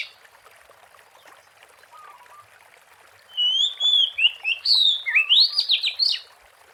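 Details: Lure recording of a wild Oriental magpie-robin: after a quiet start with faint background hiss, a bright whistled phrase begins with a sustained tone, then tumbling rising sweeps and rapid chirps.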